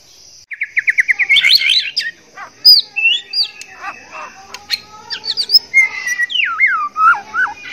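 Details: White-rumped shama male in breeding condition singing to court a female: a fast repeated trill of about ten notes, then varied loud whistles, sweeping slurs and wavering phrases, with a constant high thin tone behind.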